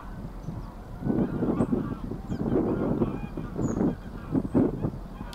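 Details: Mother greylag goose (Anser anser) swimming with her goslings at Getterön on 20 April 2022 gives low, nasal honks in short bursts, several close together, over a faint background rumble.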